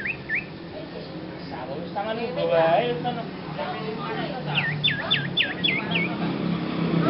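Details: Beginner Sirpu, a young bird with an odd voice: two hooked whistles open, then people talking, then a quick run of five or six upswept whistled notes, about one every half second.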